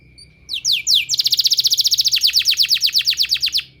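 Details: Canary singing for canary training therapy: a few sweeping upslurred notes open into a long, fast, buzzy trill of regularly repeated notes that fades slightly toward the end.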